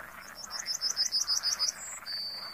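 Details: Comb-crested jacana calling in quick, high squeaky piping notes that rise and fall, ending in a steady thin whistle, with a soft chorus murmuring underneath.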